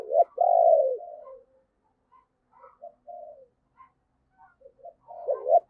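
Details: Decoy spotted dove calling wild doves with urging and crowing coos: an opening strong drawn-out husky coo, small soft notes after a pause, and a rising double coo closing the passage.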